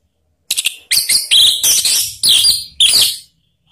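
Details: Orange-headed thrush, call played so other birds start singing: three quick short notes, then loud harsh whistled bursts repeated about every half second.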